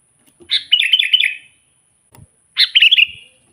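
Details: Sooty-headed bulbul song meant to draw in wild birds: two rich, bubbling phrases of quick liquid notes, the first longer, with a faint thump between them.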